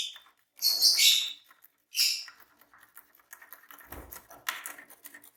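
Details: Two green Fischer's lovebirds calling: a long, shrill, rasping shriek and a shorter one, followed by a run of quieter, rapid chattering ticks and one more strident high call, with a brief low thump.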